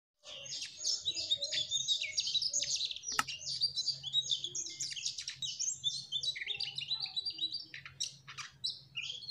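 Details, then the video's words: Mugimaki flycatcher singing vigorously in the trotol style: a continuous, rapid, high-pitched twittering chatter of buzzy and whistled notes, about three to four a second, with brief louder bursts over a faint steady low hum. "Burung Sikatan MUGIMAKI TROTOL Gacorr..."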